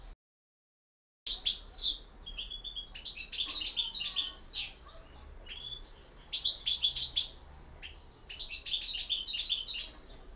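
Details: After a moment of silence, a European goldfinch sings campero song: loud, fast bursts of liquid twittering and buzzy sweeps, repeated four times with short pauses.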